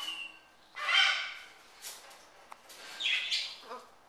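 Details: A pet military macaw eating a cracker with peanut butter gives two harsh, raspy squawks about two seconds apart, with softer scratchy sounds and a sharp click between them.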